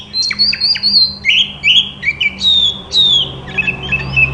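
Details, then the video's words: White-rumped shama song meant to get other shamas singing, a continuous run of loud whistled notes with downward slurs and quick upswept phrases. "Burung kacer terapi dari tidak bunyi langsung saut dengan suara ini dijamin gacor"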